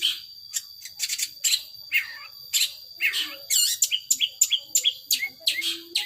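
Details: Long-tailed shrike in power sobek style: scattered sharp chips and short slurred whistles, irregularly spaced, with a steady thin tone in the background.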